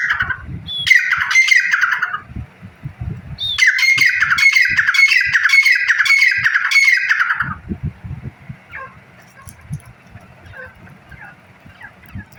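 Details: A grey partridge gives two bursts of harsh, creaky rasping notes, rapidly repeated for a few seconds each, over low rumbling background noise.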